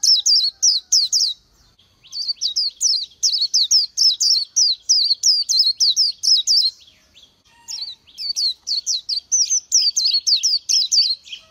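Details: Small Oriental white-eye of Vietnamese woodland and scrub pouring out fast, thin, sweet chirping notes, roughly three to four a second, in long runs broken by two brief gaps, loud and clear against a quiet background.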